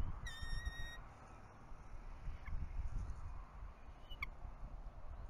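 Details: Bald eagle at a nest camera at Berry College during a change of guard, the male taking over incubating eggs, 10 February 2018 around 8:30 am; one flat, ringing whistled note with bright overtones, later a brief high chirp, over steady low rumble.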